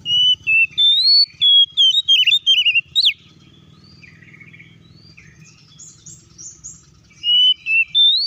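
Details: Oriental magpie-robin singing to provoke other magpie-robins into joining in: a rapid run of high, sweet whistles and slurred notes for three seconds, a pause with low hum, then more bright whistles.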